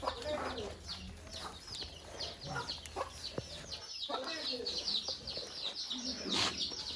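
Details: Caged budgerigars kept together with a rabbit, a busy stream of quick chirps, warbles and short downward squeaks from several birds, with occasional sharper calls and a faint low hum beneath.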